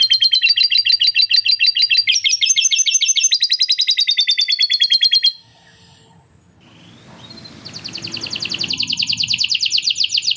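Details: Canary singing at length with lovebird cackling notes: loud fast rattling trills shift pitch in steps, break off into a quiet gap with low rustling, then a high rapid trill swells back in.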